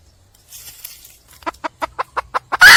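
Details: Red junglefowl hen in the wild, calling to attract a male. A run of eight clipped clucks speeds up slightly, ending in a sudden loud, harsh burst. Faint rustling comes before it.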